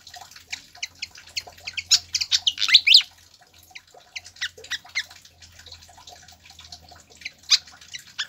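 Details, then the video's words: Pied fantail singing, a recording meant to coax and train caged birds: dense runs of high chips and squeaks climbing to a loud rising sweep near three seconds, then sparser notes and a faint low hum. "PANCINGAN DAN MASTERAN SIKATAN KIPAS AGAR CEPAT GACOR"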